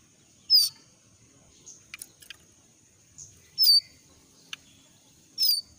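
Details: Moulting young jongkangan from the forest calls with three loud, bright, falling whistles, roughly every two and a half seconds, amid soft clicks and a constant thin high tone.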